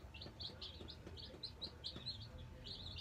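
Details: Nine newly arrived Black Australorp chicks settling into their brooder give a scatter of short, high, slurred peeps over a steady low hum.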